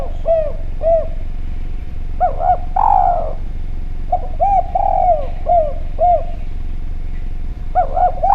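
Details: Lure sound of a vocal Javanese spotted dove: paired short coos, then phrases of arched coos ending in longer falling notes, repeated with brief gaps, over a constant low hum.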